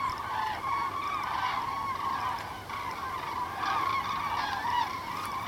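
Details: Migrating common cranes flying south on 9 November 2014, a continuous chorus of rolling, trumpeting calls from many birds, fairly even in loudness, with a quiet background.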